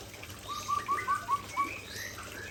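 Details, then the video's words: White-rumped shama (Murai Aceh variety) pouring out its signature fill repertoire: a quick run of six short, clear upslurred notes near one pitch, spaced about every fifth of a second, with fainter higher phrases trailing after. "Murai Aceh Tumpahkan Isian Andalan"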